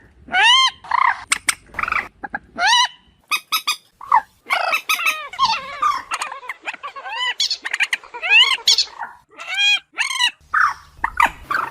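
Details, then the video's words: A Common Moorhen gives a rapid run of harsh, arched, loud, metallic squawking notes in irregular bursts with short gaps between them. "ডুংখোর পাখির ডাক"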